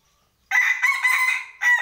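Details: Loud rooster crow bursting in after a short silence, a rough, drawn-out, steady-pitched cry with a brief dip and a final upward flourish.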